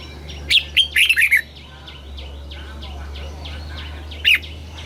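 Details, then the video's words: Red-whiskered bulbul from Thailand, southern master-style song played to excite caged birds and teach young ones: a bright burst of five or six quick whistled notes, then silence with faint distant chirps, then one more whistled note, over a low steady hum. "เสียงนกกรงหัวจุก สำหรับต่อ หรือ เปิดให้นกคึก เสียงเพราะๆ"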